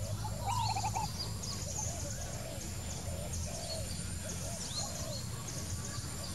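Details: Wild spotted dove giving soft low coos, a run of short rounded notes repeated in a loose series under steady low background noise, with thin high chirps from other birds and a brief trilled call near the start.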